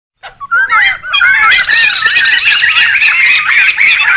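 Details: Noisy wild laughingthrushes, used as a lure and tutor recording: after a short silence, dense overlapping whistled, looping notes and rapid chatter from several birds run continuously, wavering up and down.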